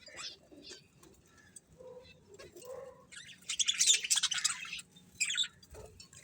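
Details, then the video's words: Soft budgie chirps and low warbles build into a loud buzzy, grating chatter burst, then a short squeak and quieter notes close it out. "Cute Budgies Chirping Sounds"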